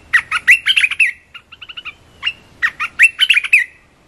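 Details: Red-whiskered bulbul giving two bursts of rapid, bright chirping notes. A softer run of small ticking notes separates the bursts. Each burst is a lively tumble of fluty slurs, about three phrases in four seconds, in a quiet setting.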